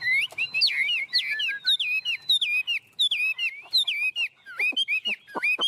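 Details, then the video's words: Chinese hwamei, a tame caged bird singing vigorously on a person's hand, repeats loud slurred whistled phrases about twice a second, each rising then dipping, and ends with several abrupt sharp downward notes. "Họa mi ôm cóng cực sung trên tay"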